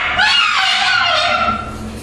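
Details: A pet flock of two blue-and-gold macaws, a scarlet macaw and two umbrella cockatoos, playing in a small bird room, screams in a loud, continuous din of overlapping raucous squawks; this is average for their noisy times.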